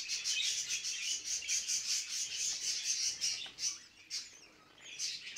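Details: Budgerigars giving mating calls: rhythmic scratchy warbling pulses, about two or three a second, thinning to a few separate chirps near the end.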